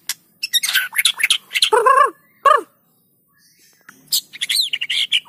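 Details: Energetic white-rumped shama singing meant to stimulate other shamas: bursts of sharp high chirps, then two rich mid-pitched slurred notes, a short pause, and high rising whistled notes.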